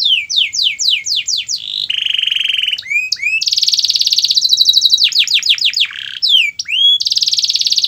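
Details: Canary song for encouraging a lazy canary to sing: descending slurred whistles, a low buzzy sustained roll, upswept chips, a long rapid trill, and more swooping notes, loud and varied throughout.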